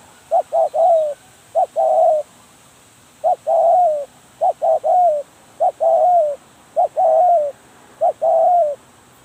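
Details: Decoy spotted dove giving a steady run of about seven cooing phrases, each a pair of brief notes and a longer sliding coo, spaced roughly a second or so apart.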